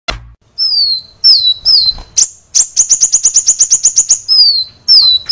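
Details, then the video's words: Kolibri wulung sunbird singing energetically in a training recording for caged birds: very high, thin downslurred whistles, then a fast run of about a dozen sharp repeated chips, ending with more slurred whistles. "Kolibri Wulung ngedan | masteran Kolibri Wulung | Kolibri Wulung gacor | kicau Kolibri Wulung"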